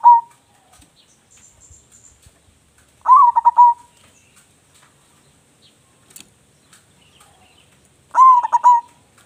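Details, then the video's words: Clean cooing from a local zebra dove suitable as a lure: three phrases spaced about five seconds apart, each a lifted first note breaking into a brief stuttering run of soft coos. "perkutut lokal gacor suara besar cocok untuk pancingan"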